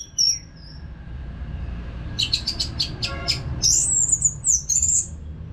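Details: Orange-headed thrush singing, a sound used for caged bird training: a thin whistle, then a rapid train of short clicking notes followed by a high, slurred, wavering whistle.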